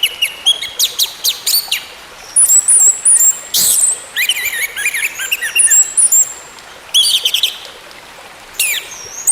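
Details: An orange-headed thrush sings in a recording used to restart a silent bird: varied phrases of descending slurred whistles, twittering notes and scratchy bursts, separated by short gaps.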